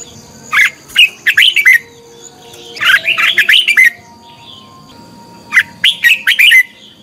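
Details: Red-whiskered bulbul decoy bird in contest singing, used to train and stir other bulbuls to sing: three bursts of quick, bright, warbling whistled notes, each about a second long, separated by short pauses, over a faint steady high hum.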